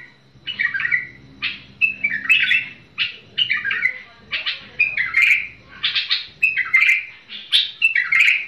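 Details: Song of a tamed bulbul: brief, harsh-edged warbled phrases, each a quick tumble of notes, repeated about every three-quarters of a second over a low background hum.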